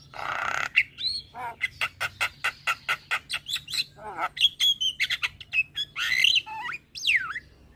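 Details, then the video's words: Singing starling used as lure therapy for caged starlings that stopped singing: steady rattle of dry clicks, then scratchy squeals and a long falling whistle. "Terapi Burung Jalak Macet Bunyi / Jalak Pikatan Bikin Cepat Gacor"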